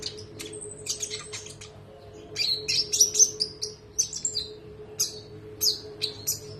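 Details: Olive-backed sunbird (konin) singing a tutor recording for training other birds, in the sharp-shot, long-rolling style: bursts of very high, thin chirps and trills, with a brief sustained whistle early on, over a steady low electrical hum.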